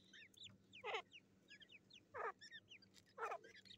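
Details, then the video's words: Black francolin chicks fighting, 18 July 2024. Three loud, coarse squawking bursts about a second apart stand out above scattered thin, high downslurred peeps, with a steady low hum underneath. "Teeter kids fighting best .kala teeter kids."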